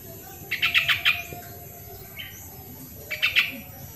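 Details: Original sooty-headed bulbul recording used to coax lazy birds into song: two quick phrases of five or so clipped, bubbly notes, separated by a pause of about two seconds, with a single soft note in between.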